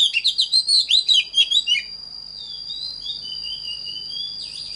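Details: Oriental magpie-robin, recorded to train birds in the standard singing voice: nearly two seconds of rhythmic, looping whistled notes, then a long steady high tone that continues to the end.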